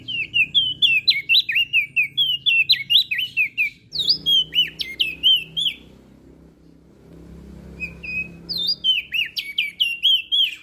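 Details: Melodious song of a crested white-eye from Lombok, meant to prompt quiet birds to sing: bursts of fast, high warbling whistles about four per second, broken by a few seconds of low background murmur before the song resumes.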